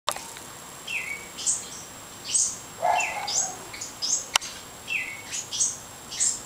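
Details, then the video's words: House wrens, fledglings leaving the nest: a run of thin, high chirps and sharp down-slurred notes, roughly a dozen spread irregularly over several seconds, with a faint steady high hiss behind them. "House Wrens leaving nest Part 2"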